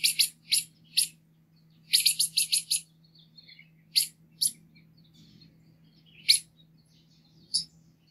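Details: Green-headed tanager singing: high sibilant ticks given singly or in quick runs of four to five, separated by silent gaps of about a second, with faint soft twitters in between.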